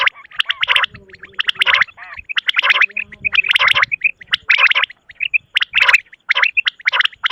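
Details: Quail (batair) calling at night: loud, harsh, rasping bursts repeated rapidly in pairs and short series, with brief clear chirping notes between them.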